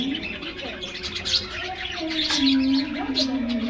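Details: Budgerigars in an aviary during a morning treat: bright high twittering chirps over a steady low humming tone and a few lower rounded notes.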